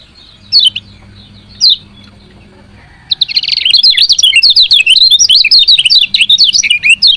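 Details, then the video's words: Female lemon-bellied white-eye giving its chirping call, used to stimulate lazy males to sing. After two short isolated notes, a rapid run of high, sharp, twisting chirps starts about halfway through and continues to the end. "CIAK KECIAL KUNING BETINA"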